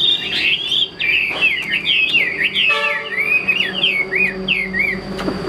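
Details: Chinese hwamei kept in a cage delivers a fast series of slurred, zigzagging whistles, phrase after phrase, with a short buzzy chord midway and a constant thin whine behind.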